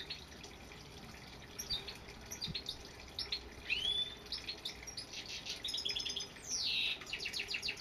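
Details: A small songbird, labelled as goldfinch song, twitters in quick, high, liquid notes and chirps, with a sharp upward-sweeping whistle and faint background hiss.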